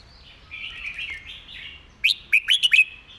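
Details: Red-whiskered bulbul singing a fast model song. Soft, rambling warbles are followed by a rapid run of four or five loud, sharp, bright notes in under a second.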